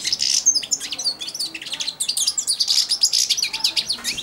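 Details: A four-month-old caged European goldfinch, perched on its owner's hand, babbles a quiet, rambling subsong of thin tinkling twitters and buzzy notes, high-pitched and continuous, with faint room hum.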